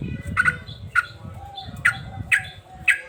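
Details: Male sooty-headed bulbul, described as agitated and in full song, giving five quick, bright chirps at irregular intervals over a steady low background rumble.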